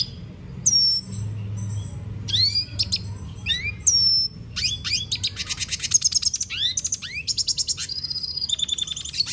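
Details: Venezuelan goldfinch singing at length: sharp high whistled notes and upward-sweeping slurs give way to fast rattling trills and buzzy repeated phrases, loud and close over a faint low hum.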